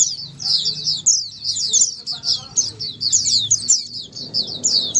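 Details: Oriental white-eye (pleci) song, clear ombyokan style used to prompt silent white-eyes to answer and sing: dense, rapid, high twittering phrases repeated almost without pause, several birds overlapping, faint low hum beneath.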